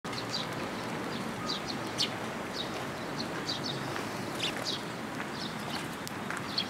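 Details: Young Eurasian tree sparrows come to a post for food at a Tenmangu shrine on 1 June 2022. Scattered thin high chirps over steady low outdoor noise.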